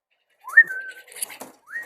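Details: Young domestic pigeon kept in a homemade pigeon house in West Bengal, calling incessantly because it wants to come out: thin whistled notes that rise and then hold level, followed by a second rising whistle, with rustling and handling noises between.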